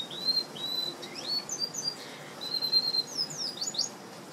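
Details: Hybrid of red siskin and canary, a pet bird, giving clear high whistled notes and sweeping upslurs, a pause, then a long steady whistle and several sharp descending chips, against low background hiss.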